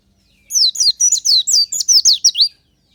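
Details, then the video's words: Oriental white-eye, natural morning song used as a lure: one two-second phrase of about ten quick, high, sweet downslurred chirps run together into a bright twitter. "PANCINGAN SUARA KICAU BURUNG PLECI ALAMI SNI"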